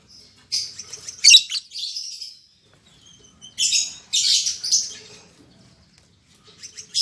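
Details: A freshly paired couple of lovebirds, albino MM male and lutino MM female, caged: bursts of shrill squeaky chatter separated by quiet spells, each burst lasting about a second.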